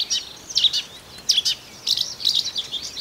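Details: Marsh warbler from Russia giving short bursts of high, squeaky chirps and buzzy notes in clusters separated by brief pauses.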